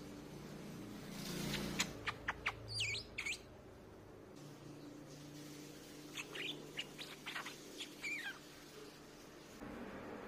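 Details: Streak-eared bulbul lure song: two bursts of quick, bright chirpy notes, some sweeping up and down, first around two seconds in, then a looser run from six to nine seconds, over a steady low hum.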